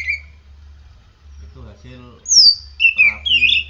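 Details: Oriental magpie-robin, kept and cared for with morning sunning and morning dew, sings a loud down-slurred whistle followed by rich buzzy warbles after a man's brief speech.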